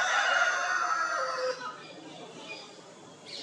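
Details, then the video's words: Crow of a rooster on a poultry farm in India with Italian and desi breeds, territorial: a loud, rich crow fills the opening second and a half, then drops to quiet farm background with faint rustling. "Italian and desi murghis dust bathing, preening & crowing"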